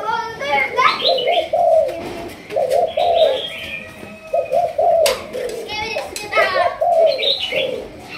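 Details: Spotted dove from Malaysia, of the 'thúc gù' coo strain kept for decoy training, giving short bursts of low mellow cooing broken by pauses, amid sharp clicks and bright chirping from other small birds nearby.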